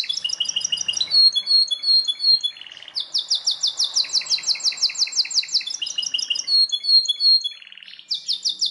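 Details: Belgian canary singing varied high chirps, a brief buzzy roll, then a long fast trill of repeated downward notes, followed by more chirps and another quick trill.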